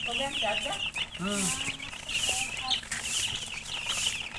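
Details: Many domestic chicken chicks peeping together in a dense, continuous chorus of high, rapid chirps, with a man's voice speaking briefly partway through.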